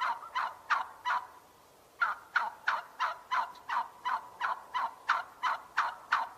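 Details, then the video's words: A turkey calls in short bursts: a few quick notes, a one-second pause, then a long, regular run of clipped yelping notes repeated roughly every third of a second. "Turkey sound for kids"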